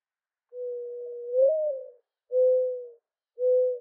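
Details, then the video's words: Mourning dove cooing: a long low note that swells and lifts slightly before falling, followed by two shorter steady hollow coos, owl-like in tone, no other sounds. "Mourning Dove Call"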